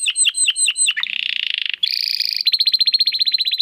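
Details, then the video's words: Domestic canary singing for training competition birds: a few falling whistles, a buzzy rattle, a high bright trill, then a quick string of repeated chips. "Kenari Gacor Suara Kristal Buat Masteran Burung Gantangan"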